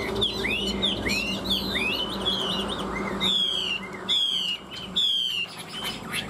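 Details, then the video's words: Two caged Chinese hwamei, tamed for three years, singing in fighting style: a fast sequence of rising arched whistles, then three loud, buzzy, falling phrases spaced nearly a second apart. "Họa mi hót đấu"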